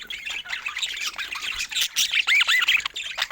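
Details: Playing pet budgies; fast squawky chatter with arched chirping notes repeated rapidly, louder toward the end.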